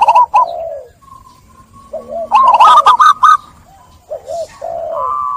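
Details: Zebra dove cooing played as therapy for stressed caged doves that stopped singing: quick trilled run of bright staccato notes, then soft rolling coos and a steady drawn-out tone at the end.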